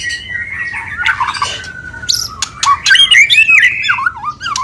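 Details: Breeding-condition mating sound of a white-rumped shama: a long, steady whistle slowly falling in pitch, followed by sharp, varied whistled twists and high clipped notes.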